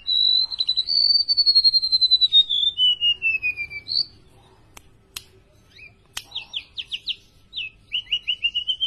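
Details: A tame, very vocal golden-bellied gerygone sings a thin, high whistled phrase that slides downward, then a run of quick, sweet notes, repeated after a short pause.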